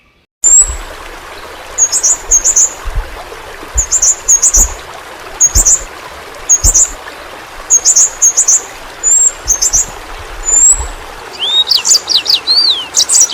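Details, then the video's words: Yellow-rumped flowerpecker, a small fruit-eating bird endemic to Kalimantan, used as a tutor recording for pet songbirds: thin, very high chips and short twittered phrases in loose bursts, ending with rapid rising and falling whistled notes over a faint watery hiss. "Burung Pentis Pelangi Masteran Bagus Untuk Burung Figther"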